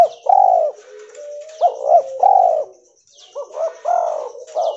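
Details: Spotted dove of a pure white albino mutation giving mellow rolling coos in two phrases linked by a soft level hum, with a faint thin whine in the background.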